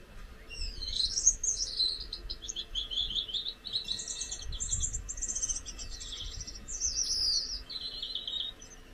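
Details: One of a pair of Gouldian finches sings a thin, very high, hissing warble of buzzy and scratchy phrases that runs almost without a break, over a faint low rumble.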